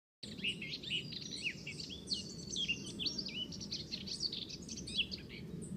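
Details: Birds chirping outdoors: a busy run of high, quick, bending whistled chirps and short twittering notes follows one another with barely a pause, over a steady low background rumble.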